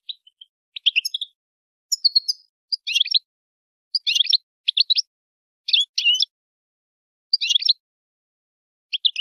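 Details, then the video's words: Female European goldfinch chirping to stimulate males to sing and mate: short clusters of rapid, jangling notes roughly every second, interspersed with quiet gaps, in a clean recording without background noise. "بتبتة انثى الحسون لتحفيز الذكور على التغريد و التزاوج"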